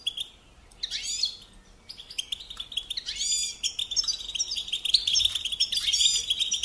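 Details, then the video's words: European goldfinch song motifs used to teach songbirds to sing: a quiet start, then bursts of bright, high twittering with buzzy, tinkling notes that grow busier and louder toward the end. "Teaching Singing Lessons Through Goldfinch Motives"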